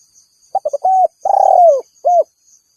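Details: One complete spotted dove phrase for calling rivals: three quick stuttered notes, a level coo, a long purring coo gliding lower, then a short clipped closing note.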